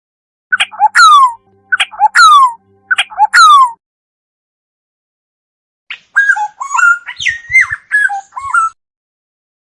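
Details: Black-naped oriole repeating a sharp, sliding two-part note three times. After a pause comes a longer, varied whistled phrase with quick warbling turns. Faint low knocks are also heard.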